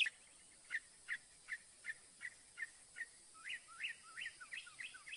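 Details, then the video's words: Northern mockingbird singing: a string of short, even chips repeated about twice a second, then a switch to a different phrase of rising, slurred notes. Typical of its varied repertoire. "SINSONTE O CENZONTLE CANTANDO"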